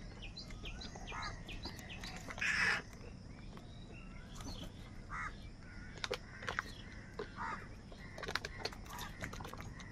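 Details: Crows said to be fighting for food: one loud, raspy caw stands out early, followed by quieter scattered calls and frequent high chirps and clicks from other birds outdoors.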